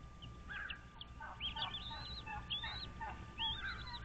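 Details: American bald eagles at a nest on Dale Hollow Lake, a reservoir on the Kentucky-Tennessee state line, nest camera, 06:05 on 06.03.2023: overlapping high whistled phrases mixed with lower, rapid chattering notes, busy and excited, with a steady hum.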